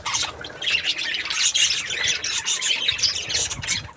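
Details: Budgies in a happy mood give a continuous stream of bright, scratchy warbles and squeaks, overlapping and busy throughout the few seconds.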